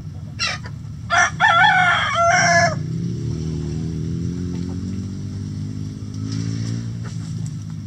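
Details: Rooster in a chicken coop crowing loudly: a harsh, broken crow of several strained, ringing syllables lasting about two seconds, followed by a constant low droning hum and faint background clucking.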